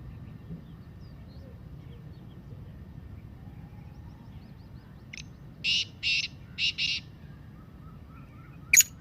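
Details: Black francolin calling voice for training pet birds: after several quiet seconds, a short note and four rasping, buzzy bursts in two pairs, then a sudden sharp click, with faint bird chirps in the background.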